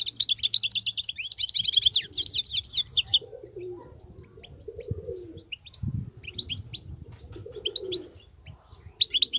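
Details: Wild European goldfinch singing: a few seconds of dense, rapid twittering and trilled chatter, then scattered single high chirps amid soft low rumbling and a faint mellow hum.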